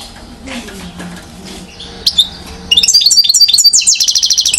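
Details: One-year-old European goldfinch, called acrobatic, in Mouzaia, Algeria, 2012; after quiet low sounds, a sudden bright burst of rapid high twittering and trilled notes.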